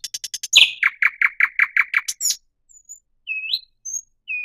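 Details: A thrush nightingale gives fast soft ticks, then about ten loud evenly spaced chuck notes, followed by quiet, slow, separate whistles that rise at the end.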